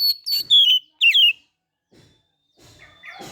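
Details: Oriental magpie-robin (kacer), kept and cared for in the morning after dew bathing, singing in the loud, open ngeplong gacor style: clear whistled phrases sliding downward, three quick bursts in the first second and a half, then near silence with faint rustling.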